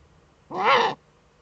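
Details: Female Eurasian eagle-owl scratching in her nest niche in northern Rhineland-Palatinate, Germany, filmed by a nest webcam on 5 May 2013; a single hoarse, raspy half-second call with harsh overtones, otherwise quiet.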